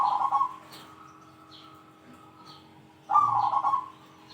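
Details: Zebra dove singing strongly with its deep 'kung' voice, said to be best at calling rivals. Two rich, bubbling coo phrases three seconds apart, linked by a soft sustained tone.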